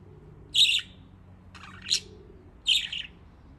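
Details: Budgerigars in Japan having fun in water; three raspy chirps, each under half a second, are spaced about a second apart over a low steady hum.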